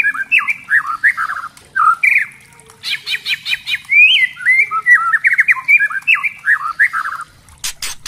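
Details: Spotted 'trotol' white-rumped shama singing as a lure to goad other shamas into full song; looping warbled whistles, a burst of fast buzzy repeated notes midway, then rich fluty slurred phrases and a few sharp clicks at the end.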